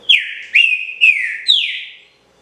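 A Green-winged Saltator sings a loud, clear phrase of four rich whistled notes, each slurring downward, about two per second. No other sounds.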